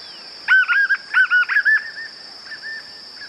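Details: White-eared puffbird singing, natural recording with no added effects: two loud clusters of short arched notes, then softer trailing notes fading out, all at a steady middle pitch, with a thin, unbroken insect whine above.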